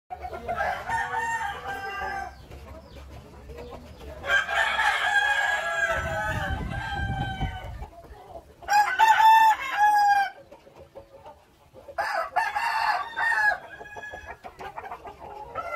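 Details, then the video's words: Rooster crowing: three loud, harmonic crows with strained, drawn-out endings arrive at about four-second gaps, each lasting one to two seconds, with softer crowing and a low rumble between them. "AYAM JAGO BERKOKOK | Rooster crowing"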